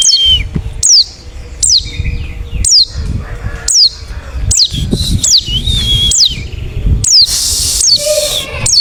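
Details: Wild forest white-eye calls used to draw other white-eyes to reply: high notes sliding steeply down, repeated about every seventy-five seconds' fraction—roughly once per second—some ending in short whistles, with low rumbling noise and a burst of hiss near the end.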